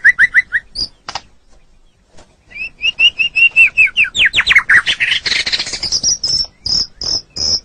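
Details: White-rumped shama in tutoring song for pet birds: a few paired whistles, a pause, then an accelerating string of loud repeated notes rising into a high series of sharp, evenly spaced whistles.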